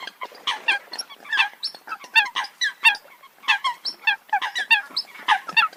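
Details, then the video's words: Eurasian coot calls: dense, overlapping nasal honking notes in quick irregular bursts, several birds calling together with no pauses, and no other sounds clearly heard. "tiếng chim sâm cầm"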